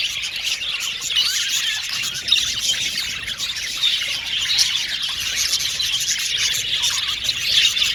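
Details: Blue and violet male budgies in an aviary colony chatter nonstop, mixing high twittering warbles with occasional harsher squawks and short downward squeaks, all overlapping in a steady chorus.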